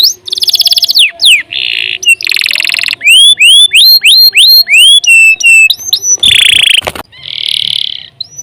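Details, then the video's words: Canary singing a long, varied song meant for tutoring other birds: loud buzzy rolls, then a run of rapid upswept whistled notes repeated about twice a second, ending in harsh trills. "CANARY GACOR PANJANG UNTUK MASTERAN LANGSUNG NYAUT"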